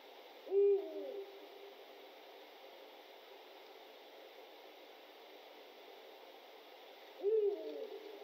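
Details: A Eurasian Eagle-Owl (Bubo bubo) gives two deep, short hoots about seven seconds apart over a steady low hiss.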